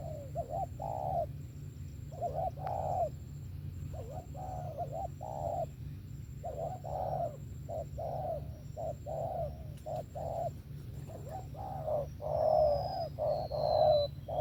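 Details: Dense, rapid run of spotted dove coos, short rounded notes repeated almost without pause for fourteen seconds, with faint higher whistles and a few clicks.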